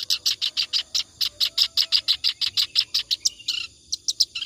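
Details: Clamorous reed warbler in continuous song, for tutoring other birds: a steady run of loud scratchy notes, about four to five per second, with a short pause before a few more.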